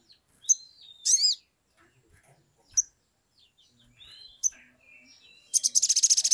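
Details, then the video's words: Sumatran leafbird, used as a lure to spur others to sing. Sharp chips, a loud ringing slurred whistle, and scattered squeaky notes, ending in a burst of fast, buzzy, high trilling. "SOGON GACOR EMOSI | pancingan sogok ontong atau SOGON biar cepat bunyi, suara asli"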